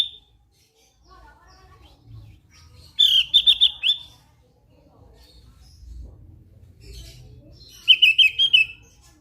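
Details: Javan grey-throated white-eye singing actively: a quick stuttering run of sharp high notes, a quiet gap, then a second rattling burst slightly lower in pitch, over faint background hum.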